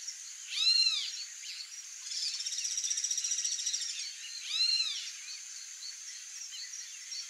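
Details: White-rumped monjita calling: two clear arched, down-curving whistled notes about four seconds apart, with a faint rapid chattering trill between them over steady high background hiss.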